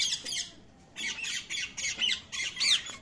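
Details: Baby parrot calling with harsh, raspy squawks in quick clustered bursts separated by short pauses, plus a few bent whistled notes, in a quiet background.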